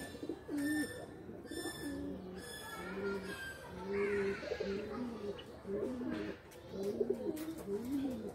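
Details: Several pigeons in a loft, cooing in low, arched, rolling phrases repeated about every second, with a louder coo midway and faint high whining tones early on.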